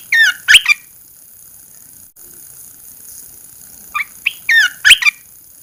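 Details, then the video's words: After 14 days kept under a cage cover, a red-eyed bulbul sings when first uncovered: a short cluster of squeaky, warbled chirps, a pause of about three seconds, then another similar chirping burst. "Kicau burung Merbah belukar Mata Merah"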